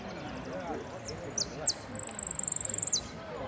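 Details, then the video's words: Saffron finch competing in Piran on 25/09/16, entered as 'amarillo sin cierre': faint high ticking, sharp downward notes, then an extended rapid piercing trill closing with a falling note; soft voices in the background. "amarillo sin cierre concurso Piran"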